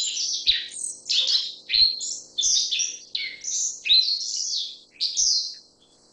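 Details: Black-faced bunting uttering a string of high, sharp chirps mixed with buzzier slurred notes, around nine over six seconds, separated by brief pauses, with faint low thuds.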